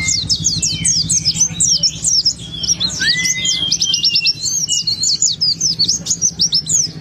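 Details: Pet white-eye singing with open beak, in a fluent style used as a lure to get other white-eyes singing: fast, high, continuous twittering of sharp chirps and short trills, one lower rising whistle near three seconds, over a steady low hum.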